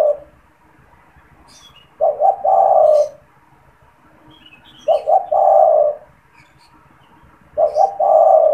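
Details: Spotted dove in a cage, cooing often, recorded to lure and stimulate wild doves: a repeated phrase about every three seconds, each a stuttering pair of coos into a sustained low coo, with scattered high chirps from other birds.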